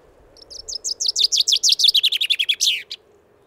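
A finch sings a bright, quick run of about twenty high, slurred notes that speed up and drop in pitch, ending in a short flourish.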